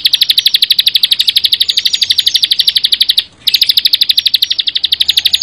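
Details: Bar-winged prinia delivering a dense 'bren rapat' song of sharp, high buzzy pulses in a quick even rhythm, broken by one short gap before the same fast series continues.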